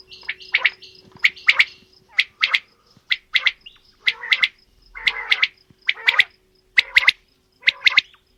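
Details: Male and female quail calling in a mix: sharp, clipped two- and three-note phrases repeated roughly once a second, with a steady faint hum beneath.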